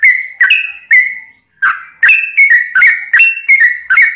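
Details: Sooty-headed bulbul lure song: a few clear whistled notes, a brief pause, then a fast run of bubbly slurred whistles alternating between two pitches.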